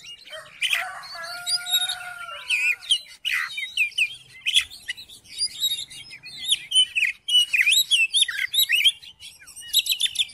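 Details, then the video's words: A magpie-robin's provoking song, used to make another bird sing: an opening of buzzy, steady notes, then a long stream of bright whistled slurs and crisp chirps in quick varied phrases. "COBA DIPANCING DENGAN KICAUAN KACER INI"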